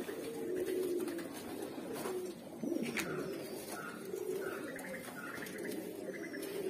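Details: Mukhi pigeons in a collection of red, black, yellow and silver birds, giving low soft cooing notes indoors, several drawn-out coos over steady background noise, with brief faint chirps.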